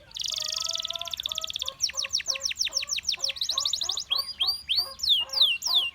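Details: Gloster canary singing to draw other canaries into song. A buzzy high roll gives way to spaced, sweeping whistled notes and another fast trill, with soft lower warbled tones underneath.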